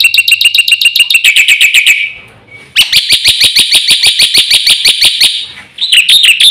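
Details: Black-winged myna fast full song, used as a lure for birds that won't sing: rapid ringing high notes in a steady train, a short whistle, then a longer stream of quick bright pips and a closing warble.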